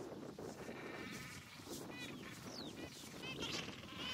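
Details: Gentoo penguins in a colony on Carcass Island, Falkland Islands, 21 January 2019, give overlapping harsh, braying calls in quick succession over a steady rush of background noise.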